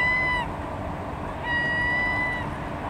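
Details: Herring gull at the harbour in Bergen, Norway, on 21 September 2015, giving two long, level, drawn-out mewing notes against steady harbour noise.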